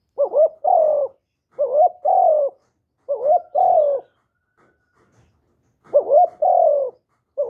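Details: Spotted dove cooing to lure wild doves: clipped double note then a longer soft falling coo, four phrases in quick succession with a short pause before the last, clean background.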